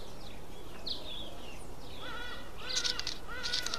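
A Mountain Chat gives short whistled and slurred notes, ending in a few sharp, bright chips, over a steady low background rumble.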